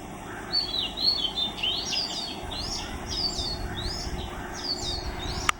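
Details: Oriental magpie-robin singing at Mormugao Harbour, Vasco da Gama: a run of clear whistled notes, some rising and some falling, strung together over steady low background hum, ending in a sharp click.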